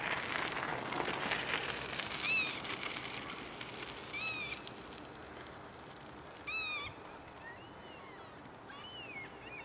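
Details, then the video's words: Small group of black-tailed godwits at Alkmaar, Holland, on 28 March 2013: several nasal, rising-then-falling calls spaced irregularly, some doubled, over a steady background hiss like rain or wind. "Black-tailed Godwits Birds of Holland"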